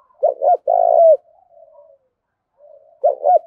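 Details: Spotted dove giving a sharp contest call in a thổ-pha-đồng voice: one full phrase of two clipped notes and a long rolling coo, then soft low cooing and the start of the next phrase.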